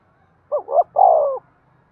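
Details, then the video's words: Single rousing coo of a spotted dove used to stimulate decoy birds: two quick rising hoots then a long, husky, gradually falling note over a soft low rumble. "tiếng cu gáy thúc sung dùng kích bổi tập mồi hiẹu quả nhất"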